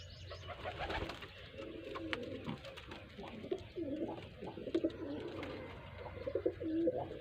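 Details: Village pigeons, called kabutar, in Sindh, Pakistan: several deep, burbling coos that rise and fall in overlapping phrases, with scattered knocks and rustling behind them.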